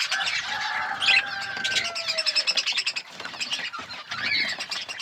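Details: Budgerigars in an outdoor aviary within a forest, eating seeds; busy high chirping and warbled chatter over long, even whistled tones from other birds, with scattered clicks.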